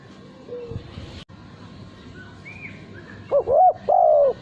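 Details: Male spotted dove kept as a cage bird for cooing contests. After faint background twitters, it gives a loud, clear coo phrase: a short rising note followed by a longer, steady, mellow coo.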